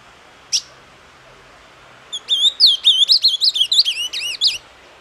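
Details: A single sharp chip from an ultramarine grosbeak, then after a pause its doce amargo song, a brisk series of slurred, swooping whistles lasting over two seconds, ending on looping notes.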